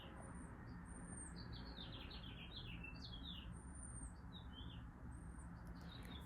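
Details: Springtime city bird, probably a male singing to attract a mate; quick runs of high slurred chirps dropping in pitch, repeated in short bursts with thin whistled notes, against constant low traffic hum.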